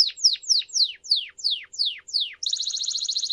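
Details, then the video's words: Training song for young canaries: eight separate loud descending whistled sweeps about every third of a second, then an abrupt switch to a fast high buzzing trill. "أروع التغاريد النادرة لتسميع فراخ الكناري Super Canary song for training"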